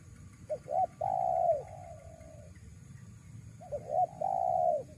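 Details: Two phrases of spotted dove cooing used to draw in wild doves. Short hiccuping notes build into a long low coo that trails off, then the pattern repeats after a pause. Faint hum throughout.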